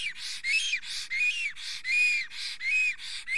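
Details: Estonian male black stork singing excitedly at the nest, female close by, morning of 30 April 2020. Loud alternating pattern of rising-falling whistles and broad breathy rasps, roughly seven cycles.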